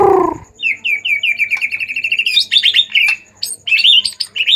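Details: White-rumped shama in an agitated mood, sung to provoke silent shamas into singing: a quick run of about fifteen evenly spaced, bright repeated notes, then higher chattering, warbled phrases. A brief low, harsh sound opens the passage.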